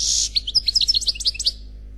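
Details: Khalwi song from an unpaired European goldfinch on CD: opens with a harsh buzzy note, followed by a string of evenly spaced bright chirps, roughly eight per second, fading into quiet.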